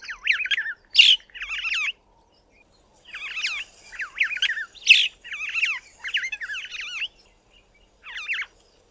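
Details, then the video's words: A Cape (Glossy) starling sings its cheerful song from the top of a small tree: short bursts of varied warbling, slurred and chattering notes with brief pauses between phrases. "CAPE (Glossy) STARLING singing its cheerful song"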